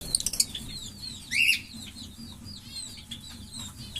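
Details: Green Fischer's lovebird pair, caged pets, chirping: many thin rapid chirps and short curved notes high up, one louder rising-falling squeak midway, steady low hum beneath.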